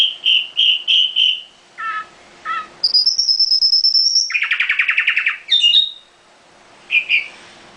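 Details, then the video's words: Caged nightingale delivering three repeated whistled notes, a pair of softer calls, then a long high held whistle running into a fast rattling trill and a few closing chirps. "Nightingale singing in the cage"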